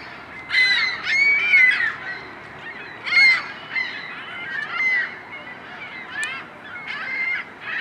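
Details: Iceland gull at Ashbridge's Bay Park, Toronto, Ontario, Canada, on 15 March 2010; nasal, harmonic mewing calls in short bursts about every second or two, some slightly rising, with other gull-like calls mixed in.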